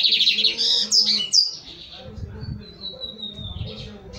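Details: Lined seedeater, a young male finishing its moult: quick twittering high notes, then a long thin whistle that slowly falls in pitch, over a low background hum.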